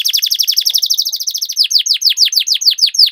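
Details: Rolling canary song (ngerol), played to coax reluctant canaries into song: quick repeated downward-sweeping chirps, tightly packed early, then spaced and stronger, steady and clear throughout.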